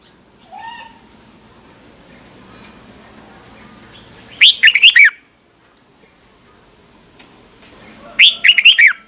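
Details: Red-whiskered bulbul song, Thailand, played for training or to make birds lively: after a faint chirp early on, two short, loud, warbled phrases come roughly four seconds apart against quiet background.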